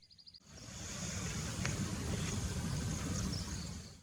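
A steady low rumble of passing traffic and outdoor noise fills the recording, with no clear animal voice.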